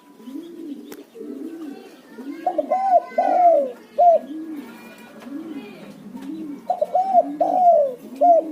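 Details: Spotted dove used as a lure call: a steady background of low, arched coos about once a second, overlaid twice by a louder, higher phrase of rounded cooing notes.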